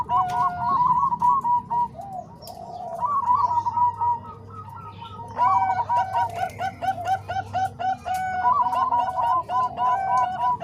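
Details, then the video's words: Mixed voices of Bangkok and Cemani Kolbuntet zebra doves for training other doves: repeated runs of quick, soft coo notes, several birds overlapping, with a low droning hum underneath for part of the recording. "Suara Kombinasi Perkutut Bangkok Dan Cemani Kolbuntet|Untuk Masteran Semua Jenis Perkutut"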